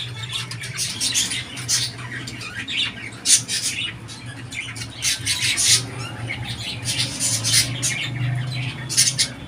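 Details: Budgerigar squawking and chattering indoors in repeated harsh, noisy bursts separated by brief pauses, over a persistent low mechanical hum.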